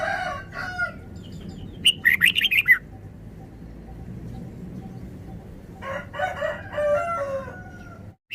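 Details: Red-whiskered bulbul gives one quick, bright warbled phrase of several fast notes lasting under a second. Other lower, harmonic bird calls come before and after it over a steady low background rumble.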